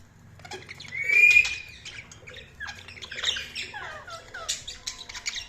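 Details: Budgies chatter in a busy mix of squawks, short rising and falling whistles and scratchy chirps, with a louder squawk near the start and a soft low rumble underneath.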